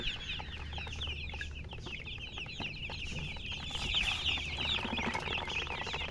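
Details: Chicken chicks chirping busily, many high peeps overlapping, growing denser and louder toward the end, over a faint low hum.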